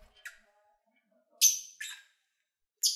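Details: Lovebirds in captivity, singing and having fun while eating: brief sharp high chirps, a pair of loud buzzy squawks close together, then another after a short gap.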